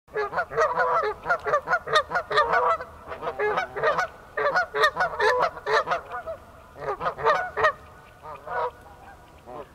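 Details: A pair of Canada geese walking on ice, alarmed by a person nearby: loud, rapid, nasal honks in irregular bursts, several per second, with overlapping calls from both birds through the whole stretch.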